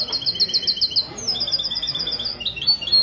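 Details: European goldfinch in mestizo-style competition song, Ksar el Kebir, Morocco, Sunday morning, 16 February 2020: a quick series of clear, high, liquid chirps, then a varied run of twittered notes, steady and lively.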